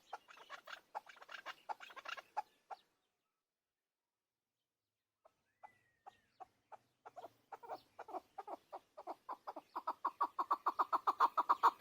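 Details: Chukar partridge, called a hunter chakor: a burst of rapid clucking notes, a pause, then sparse clucks building into a fast, steady, loud run of chuck notes repeated more than twice a second.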